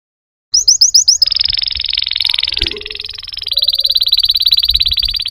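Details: After a moment of quiet, a singing canary gives five quick upslurred notes, then launches into long, rapid rolling trills of varying pitch; faint low background noise.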